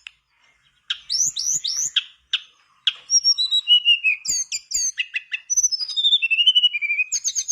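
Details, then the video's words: Lively Mangrove blue flycatcher song played as a lure to get a quiet bird singing: rapid rising whistled slurs, then a long varied run of clear high whistles, trills and falling phrases with barely a pause. "Pancingan burung tledekan bakau gacor biar sikatan bakau macet ikutan gacor"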